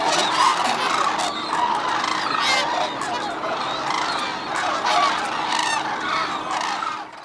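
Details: Hooded and White-naped Cranes at Arasaki Crane Center, Kyushu, Japan, in a snowy landscape; loud continuous flock chorus of honking, bugling calls swelling and easing in waves.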